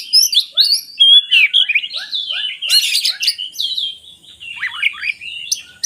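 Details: Lure song of an oriental magpie-robin for lazy singers: varied whistles and chatter over a regular string of short downward-slurred notes, one rasping burst, then softer twisting whistles.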